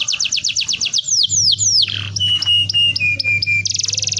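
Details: Canary song for luring young birds into song: a fast series of descending whistled sweeps, a run of level whistled notes stepping lower, ending in a dense buzzy rattle, over a steady low hum.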